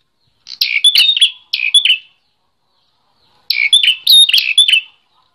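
Bar-winged prinia singing two quick bursts of high, sharp, buzzy chirps, each about a second long, separated by a brief silence.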